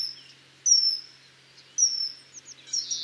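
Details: Common kingfisher giving two drawn-out, high, thin whistles, each about a second long and falling slightly in pitch, separated by a pause, then a burst of sharper piping notes at the end.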